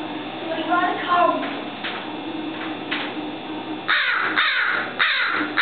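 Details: American crow kept at the Randall Museum in San Francisco cawing at people visiting: murmured human voices first, then three loud rasping caws in quick succession near the end.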